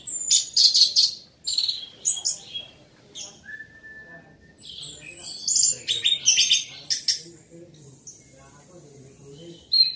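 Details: Energetic orange-headed thrush song at high volume: clustered bursts of sharp, scratchy high notes and quick trills, a pure steady whistle near the middle, and a thin sustained buzzing tone late in the passage.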